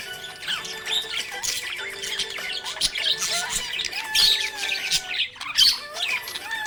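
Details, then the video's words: A happy budgie chatters in fast, scratchy chirps and warbles with brief squawks, over a continuous music track with sustained tones. "Happy budgie chirping sound"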